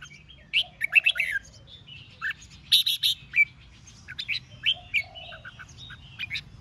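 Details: Red-whiskered bulbul in competitive 'ché' singing meant to provoke rival birds: short bright warbled phrases, several notes in quick bursts around the first and third seconds, then scattered chirpy phrases, over a low steady hum.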